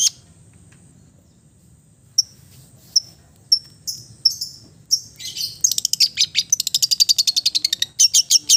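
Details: Long-tailed shrike of the East Java type in relaxed song, played as therapy for mute birds; scattered sharp high chips build into a rapid, even rattle of buzzy notes near the end.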